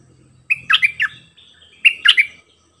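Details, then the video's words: Bulbul decoy bird giving short doubled phrases: two separate bursts of three or four ringing whistled notes each, split by a brief pause, over faint low hum. "เปิดดอกเพลงเบิ้ล!!ร้องหลายเพลงSuara merbah lekir gacorbahanan"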